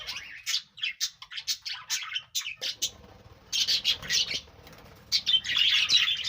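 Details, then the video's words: Chirping from a group of budgerigars: quick separate squeaky notes at first, then a lull, then dense bursts of warbling chatter. "parrot natural sound | Beautiful Birds chirping sound"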